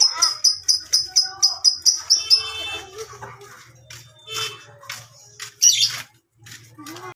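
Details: Lovebird in ngekek panjang, a long chattering song: a fast run of sharp repeated chips about three per second, then scattered harsh squawks over a low steady hum.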